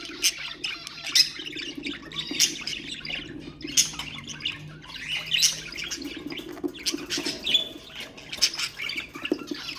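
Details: Ornamental budgerigars trill and chirp in rapid clusters, sharp high clicks punctuating the warble about every second, the whole flow meant to stimulate other birds; low steady hum beneath.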